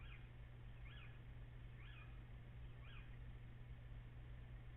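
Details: Pre-dawn little owl calls from 14 April, just after 04:56: four distant, echoing, arched whistles spaced about a second apart, possibly from two birds at once, over a steady low hum.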